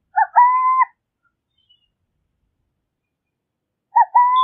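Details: Burrowing owl (Athene cunicularia) singing: a short low hoot followed by a longer, steady, level coo. The phrase comes twice, about four seconds apart, in silence.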